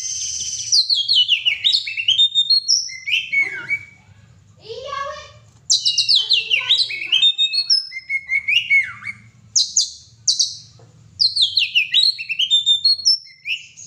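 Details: Kacer, the oriental magpie-robin, pouring out energetic gacor song: rich mix of loud piercing whistles, slurred notes, harsh chatters and mimic-like phrases in repeated bursts, with short pauses between.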